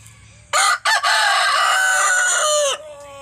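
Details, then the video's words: Desi rooster crowing: one long loud crow lasting about two seconds, with a brief opening note, a short break, then a sustained harsh call that drops in pitch at the end. "मुर्गों की आवाज | Rooster Crowing Sound Compilation | मुर्गा की बांग | Desi Murga ki Avaj"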